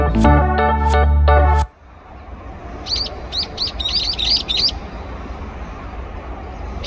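A brown-eared bulbul gives a quick burst of about eight shrill, high, slurred notes over two seconds, after a loud organ-like musical chord opens the recording.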